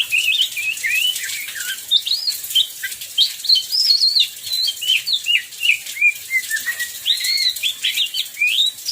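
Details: Oriental magpie-robin, kacer, singing during heavy rain: a long, varied run of clear whistled phrases, rising and falling slurs strung together continuously over a steady hiss of rain.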